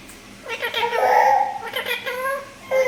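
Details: Talking green parrot mimicking human speech: a few nasal, harmonic word-like syllables with a long drawn middle phrase around one second, then a brief pause and a short final utterance.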